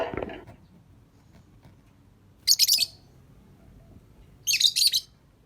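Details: Lovebird, praised as a pretty bird that sings well, uttering two separate bursts of harsh rapid chirping about two seconds apart after a brief low noise at the start.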